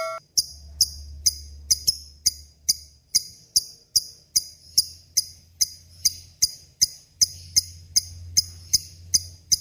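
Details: Lovebird in full voice, from a recording meant for tutoring murai and kacer songbirds: sharp, high, clicky chirps repeated about every half second, steady and slightly uneven, with a faint low hum behind.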